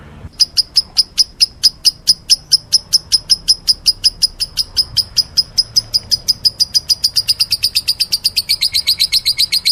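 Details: Meloloh lovebird chirping: shrill, evenly spaced notes that gradually quicken and crowd together toward the end, turning into a fast, rattling stream.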